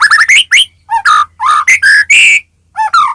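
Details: White-rumped shama, a Medan-type bird, in vigorous song used as a lure to provoke other shamas into singing: loud, varied whistled phrases, some rising and some falling, in quick bursts separated by short pauses.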